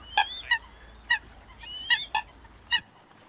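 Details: Eurasian coot competing call used as a trapping lure: short, sharp, nasal honking notes with bright harmonics, given singly or in quick pairs about every half second, over a faint low hum.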